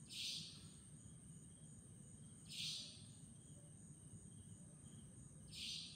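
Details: A savanna nightjar at Chunghsing New Village, Nantou, Taiwan, on 11 April 2018, gives a sharp, high, rasping 'tchweep' about every two and a half seconds over a low, steady rumble of distant noise.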